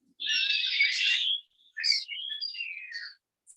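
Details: A chaotic jumble of harsh, buzzy chatter, quick whistles and squeaky rattles, changing rapidly one after another, from introduced Common starlings (Sturnus vulgaris) in New York City. It is possibly more than one starling calling at once.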